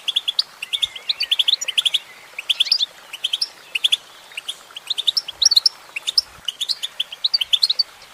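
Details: Female goldfinch in steady song, pouring out fast, bright twittering notes and buzzy chirps in overlapping bursts with hardly a pause.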